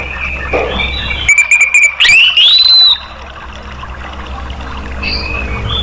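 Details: Song of an orange-headed thrush, used as a prompt to get other kept birds singing: a steady whistle, then a rising, sweeping whistled phrase with rich overtones, followed by hiss and a faint distant note.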